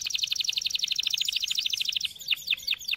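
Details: Canary singing for training young canaries: a rapid, evenly pulsed trill of bright chips, then slower looping downward whistles spaced a fraction of a second apart.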